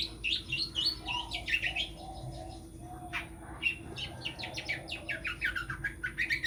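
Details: Rapid, varied song of a long-tailed shrike, a would-be champion singer: bright chirps, short rising and falling whistles and scratchy notes strung together, with a faint steady hum behind.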